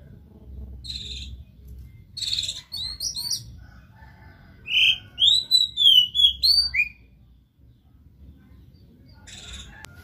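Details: Oriental magpie-robin in full song, played to prompt a silent bird to sing: short buzzy notes, a pause, then a run of loud, clear whistled slurs rising and falling, ending with fainter buzzy notes over a low hum.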